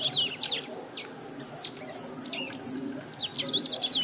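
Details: Great pampa-finch, a rare Brazilian bird, singing loudly without stopping: rapid high twittering and trilled phrases, a bright whistled slur around 1.5 and 2.6 seconds, over a low background hum.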